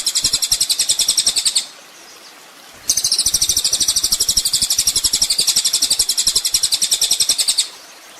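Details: Olive-backed sunbird (kolibri ninja), recorded as a training master for chattering songbirds: a short high trill, a pause of about a second, then a long, fast, shrill pulsing trill lasting nearly five seconds before silence.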